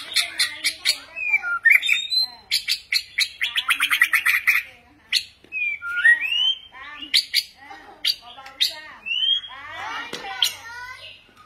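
A white-rumped shama sings rich, varied phrases: rapid clicking rattles, clear rising whistles and harsh buzzy notes, changing every second or two over nearly twelve seconds.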